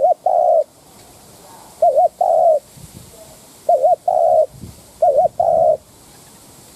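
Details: Spotted dove decoy calling to stir wild doves: repeated two-part coos, a trembling short note then a sustained hollow one, about four phrases roughly every one and a half seconds.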